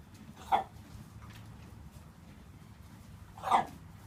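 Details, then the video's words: Three-year-old buff Brahma hen in a free-range mixed flock, suddenly giving a strange, croupy, bark-like cough. Two short harsh bursts are about three seconds apart over a low background rumble. "Buff Brahma chicken making strange sounds"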